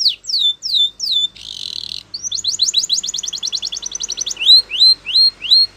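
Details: Spanish Timbrado canary song for training: falling whistles, a buzzy trill, a fast metallic rattle of rising notes, then slurred upward whistles.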